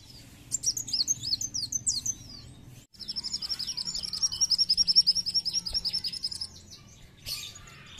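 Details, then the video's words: Sunbird (kolibri wulung) used as a lure call: high, thin twittering chirps, then a fast, even, sharp trill of notes repeated several times a second for about three seconds. "BUNYI KOLIBRI WULUNG"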